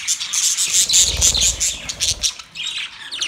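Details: Singing budgies during mating, bright high chirps repeated about twice a second over a soft rustling, then a brief lull before scratchy warbling resumes.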